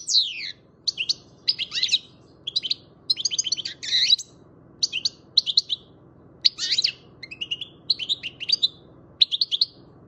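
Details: Seven-month-old young European goldfinch bred in Macedonia singing a lively run of high, twittering and buzzy phrases with sharp downward sweeps, broken by short pauses, over a low steady background hum.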